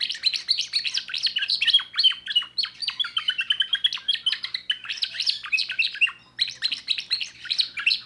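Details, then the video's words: Young timbrado canary, a 2024 bird, singing a new repertoire: a continuous rapid string of bright chirped and warbled notes with short trilled runs, steady and loud, broken by a brief pause near the middle. "le meilleur chant de canari I chant canari timbrado un jeune de2024"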